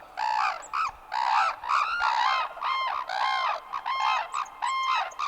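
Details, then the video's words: Cranes in the wild give loud, rolling, trumpeting calls in rich, nasal bursts, about one every second, with calls overlapping as if several birds join in. "Crane sounds"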